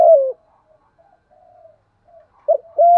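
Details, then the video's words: Spotted dove kept as a caged decoy for luring wild doves, giving the tail of one falling coo, faint murmuring, then a clipped two-part coo starting again. "chim cu mồi thúc gù bài bản nhất hiện nay, chim cu gáy kích bổi hiệu quả nhất hiện nay"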